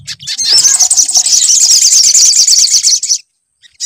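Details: Sunbird song as a lure to encourage singing: an unbroken, dense, very high chattering trill running nearly three seconds, then silence.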